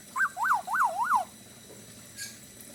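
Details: Black-naped oriole in lively Bali-style song: four clear, mellow whistled notes, each swooping up and down, delivered in a quick run and then silence.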